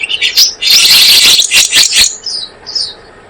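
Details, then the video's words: Blue-eared kingfisher lure recording used for bird trapping: dense, shrill, high chirping notes in fast overlapping bursts, then a few thinner, softer trailing notes near the end. "Suara pikat burung selendang biru"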